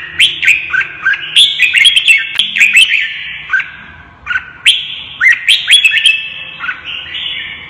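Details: Red-whiskered bulbul pushed into fighting song: dense phrases of bright whistled notes with sharp sweeps, a brief lull near the fourth second, then further loud bursts, low hum steady throughout.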